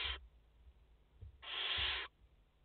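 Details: Barn owl nest in France with a mother and four chicks, recorded 30 August 2021; the tail of one hiss, then a loud, drawn-out rasping screech lasting about two-thirds of a second, with faint knocks in between.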